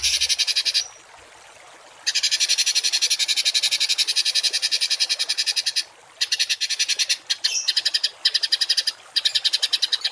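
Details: Songbird in harsh 'tembakan kasar' style, a masteran for tutoring cage birds: long continuous grating rattles of rapid buzzy pulses, about two hundred per minute, broken by short pauses and one thin whistle.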